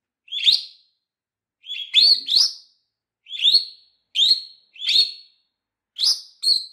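A lovebird gives shrill, harsh chirps, singly or in quick pairs, about forty a minute with short pauses between, against a quiet background.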